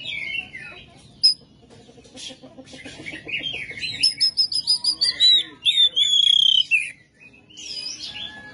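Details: Oriental magpie-robin delivering rough 'materi kasar' song, gacor and full: soft scratchy chatter first, then a quick train of sharp notes and two clear, drawn-out whistles falling gently in pitch.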